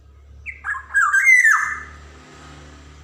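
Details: Black-naped oriole, Javan golden type, singing with varied rhythm to coax young birds into song: a rising, mellow, slurred whistled phrase with a nasal edge over a steady low hum.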